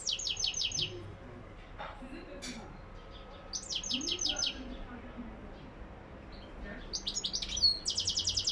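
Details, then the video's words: Goldfinch song with several bursts of rapid, high, buzzy twittering notes repeated in quick runs, separated by quieter gaps with faint low murmuring and background noise. "Saka ötümü lak lak"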